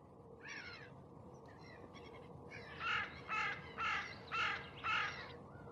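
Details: Osprey calling: a few soft notes, then five loud, sharp, slightly downslurred whistled calls about every half second, over a steady low background hum.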